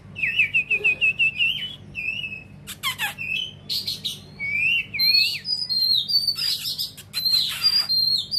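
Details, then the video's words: Oriental magpie-robin in song, tail fanned wide: a rapid run of bright repeated whistled notes, then varied rising and falling whistles broken by loud harsh scratchy bursts, continuing without long pauses. "chòe hót xòe to"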